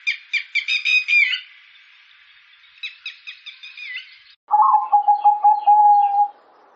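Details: Button quail giving two quick series of sharp repeated notes that slide down, followed by a lower, steady rapid pulsing phrase.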